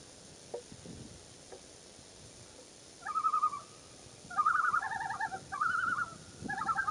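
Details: Common loon on a June 2, 2015 morning, accompanied by a chick. After three seconds of quiet with a few soft knocks, four rapid quavering, yodel-like tremolo bursts follow in quick succession.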